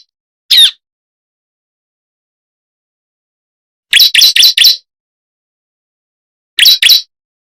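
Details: Bar-winged prinia lure call meant to attract other birds: a single sharp chirp, a long pause, then a quick four-note burst of high chirps, and finally a pair of chirps, against total silence.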